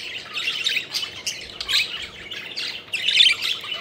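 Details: Budgerigars kept as pets, playing and flying, produce grating squawks and warbled chirps in clustered bursts, with a loud, sharp chirp near the end.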